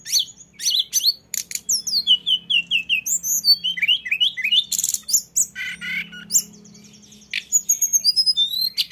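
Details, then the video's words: Lesser shortwing, known locally as tledekan gunung, singing in the rolling ngeroll style: a rapid, varied run of high thin whistles, sweeping slurs and dense buzzy trills with brief pauses, over a faint low hum. "dengar tledekan ngeroll ini"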